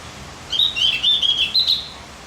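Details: Javan grey-throated white-eye singing as a training tutor recording to stimulate other birds: a continuous high, twittering warble of quick slurred notes lasting about a second and a half, with faint background hiss.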